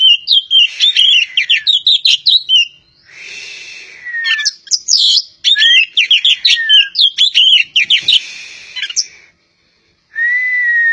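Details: Kacer poci magpie-robin from Java in full song: repeated bursts of fast, varied chattering and whistles, separated by softer hissy passages, with a steady whistled note at the end.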